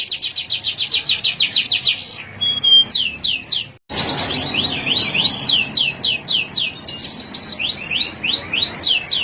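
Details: Male canary in song, a fast run of high trilled notes, a brief pure whistle, a short break, then rolling swoops and quick repeated trills carrying on without pause.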